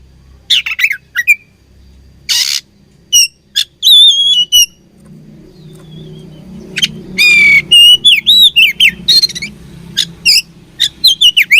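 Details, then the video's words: Oriental magpie-robin (kacer) singing during a fight: sporadic harsh bursts and short whistles, then a rapid sequence of warbled, twisting whistled phrases, with a steady low hum throughout. "Beautiful Chirping Sound Of Fighting Birds"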